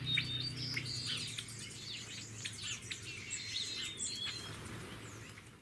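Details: Yellow-billed magpies (Pica nuttalli) at Santa Ynez, California, in January give quick, high chattering chirps that overlap in a busy stream, over a steady low rumble.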